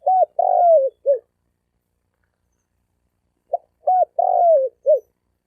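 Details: Calling to attract females, a male spotted dove repeats a phrase of short coo, long falling coo and closing note, twice, about three and a half seconds apart. No other sounds.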